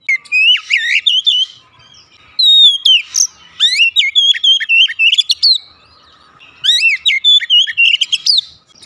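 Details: Oriental magpie-robin song used to stir a quiet caged bird into singing; bursts of bright whistled notes, slurred and warbled, in phrases of a few seconds separated by short silences.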